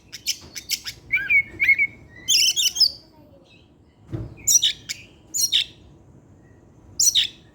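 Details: Oriental magpie-robin (kacer) singing in the evening: quick chirps and a twisting whistle, then spaced harsh scratchy bursts, with a single dull thud partway through.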